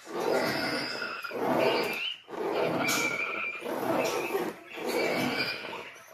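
A cockatoo gives harsh, grating screeches, about five scraping bursts roughly a second apart, like nails dragged across a chalkboard.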